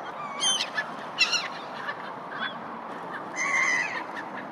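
Gulls give harsh, nasal squawks in short bursts over a steady wash of harbor noise.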